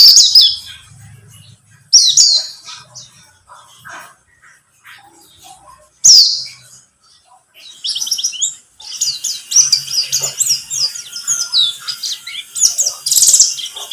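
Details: Buxtomi-type white-eye sound meant to lure white-eyes into singing. It opens with isolated high sharp notes at intervals, then becomes continuous, fast, high twittering chatter.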